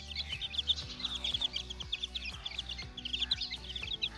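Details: A group of little chicks playing, with bursts of shrill, short peeps in quick clusters over quieter background music with a pulsing low beat.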